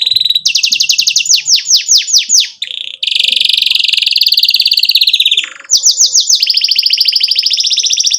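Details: Energetic canary song with long rapid delivery, used to teach young canaries: rows of swooping high whistles, a sustained fast trill lasting seconds, then renewed quick rolling notes.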